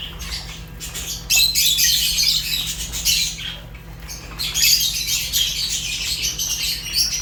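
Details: Fischer's lovebirds, African lovebirds, give a busy chorus of shrill, grating chirps and squawks, roughly four notes a second, with louder stretches in the middle and near the end over a faint low hum.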